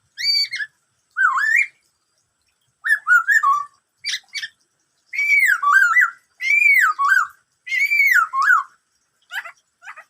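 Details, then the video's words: Black-throated laughingthrush in 'bắt cô trói cột' song: repeated loud looping whistles rising and falling, separated by short gaps, with brief harsh clicks near the end. "em khướu bạc má hót bắt cô trói cột [noog sab hwj quaj suab ntau yam zaj suab]"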